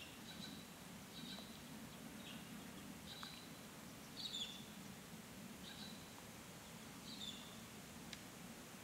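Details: Female Hooded Robin in Canberra on 29 February 2020, giving faint, short high chirps in small clusters about every one to two seconds, over steady low rumble and background hiss.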